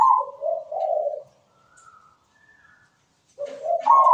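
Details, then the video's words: Zebra dove cooing a melodious rhythm used as a lure for other zebra doves: soft, mellow, low rolling coos in a phrase, a pause, then the phrase starting again, in quiet surroundings. "MEWAH PERKUTUT GACOR SUARA MERDU"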